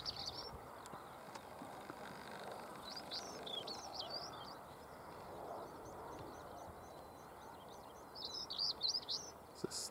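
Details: Dawn song of a Stonechat on Cavenham Heath, Suffolk, 22 March 2015, 6:22 am, perched at the top of a bush: brisk high scratchy phrases, one early burst then a longer chattering run near the end.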